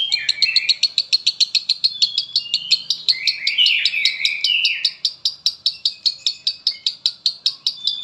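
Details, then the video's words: Konslet-style song of a lovebird kept in Palembang, a long unbroken run of rapid, evenly spaced ticks with buzzy, wavering chatter weaving beneath them throughout. "LOVEBIRD KONSLET"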